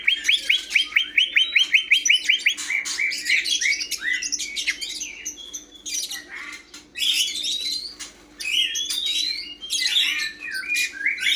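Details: Greater green leafbird opens with a fast trill of repeated sharp notes, then moves into a long, varied stream of chattering, whistled and buzzy phrases over a low hum.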